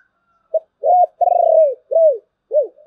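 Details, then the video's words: One complete thổ bầu-style phrase from a spotted dove: a clipped note, a double coo, a long vibrating, pulsed coo that slides down, then two short arched coos falling in pitch. "cu gáy giọng thổ bầu, nghe cũng hay phết"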